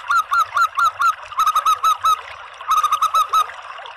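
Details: Local zebra dove lure call, used to draw in doves: three bursts of rapid, clipped cooing notes, five or six notes each, separated by short pauses.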